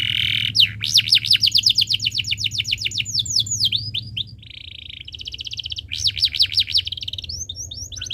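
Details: Canary singing at length in a tutor recording for young birds: a buzzy opening, long looping runs of rising-falling whistled notes, a soft rolled trill, then further fast trills and sweeping chirps.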